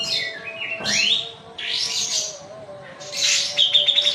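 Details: Kapas tembak white-eye of Medan singing loud, harsh high bursts and sliding notes, finishing with a quick run of repeated sharp chips, over a steady low hum in the background.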